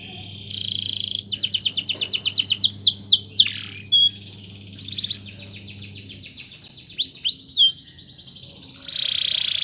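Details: Canary singing vigorously, used as a master bird to teach song: rapid high rolled trills and repeated sweeping whistles, then buzzy sustained blocks, with pauses between phrases and a low steady hum underneath for the first six seconds.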